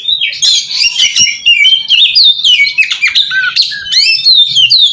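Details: Lure song of an oriental magpie-robin meant to call in other magpie-robins: a continuous, dense stream of high whistled and trilled notes, quickly changing, with a few sharp clicks.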